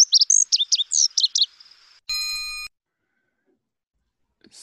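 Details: Lazuli Bunting, Lake Tahoe area, a different singer: a quick, high, jumbled phrase of sharp chirps and slurred notes lasting about a second and a half, then a brief electronic beep and silence.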